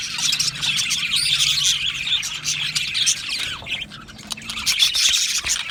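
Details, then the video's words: Many budgerigars in an aviary, busy chattering chorus with harsh squawks and warbled chirps, dipping briefly quieter midway before the high twittering swells again. "Beautiful Budgie singing and chirping sounds"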